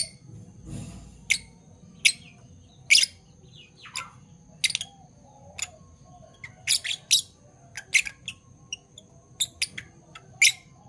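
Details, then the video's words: Morning chirping from two Fischer's lovebirds of parblue violet and parblue turquoise colour: sharp high tweets at uneven intervals, growing into quick clustered chirps in the second half. "Lovebird Chirping Sounds - Parblue Violet Fischer & Parblue Torquoise Fischer"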